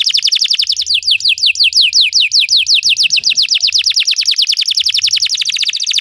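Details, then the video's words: Training song of a Belgian canary meant to make other canaries sing: long series of bright downward-sweeping notes, fast at first then quickening into a dense rolling trill, faint low noise beneath. "Belgian canary singing makes your canary sing"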